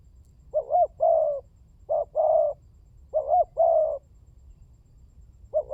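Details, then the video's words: Spotted dove (tekukur) cooing as a lure recording to prompt birds to call: three soft phrases of a brief double note leading into a long hollow coo, spaced roughly a second and a half apart. "Pancingan burung tekukur berkhasiat !!! Di jamin tidak bisu"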